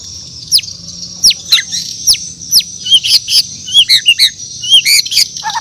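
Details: Bornean white-rumped shama singing in the morning: thin, very high downward sweeps about every three-quarters of a second, then clusters of short high chips and whistles.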